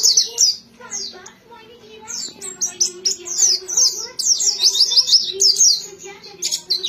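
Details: White-eye song: rapid, very high twittering notes in quick bursts, with short slurred and rising chips run together. Its pace picks up after two seconds. A faint steady low hum lies underneath.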